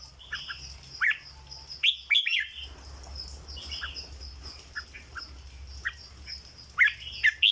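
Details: Red-whiskered bulbul cage bird singing in the 'dok' style, scattered short whistled phrases and quick chirps, one louder cluster of bubbling notes near the middle, set against a steady low hum.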